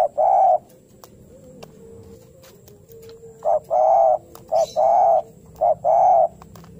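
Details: Spotted dove calling energetically as if seeking a rival: low, soft coos in short-then-long pairs, about one pair per second, against faint background hiss.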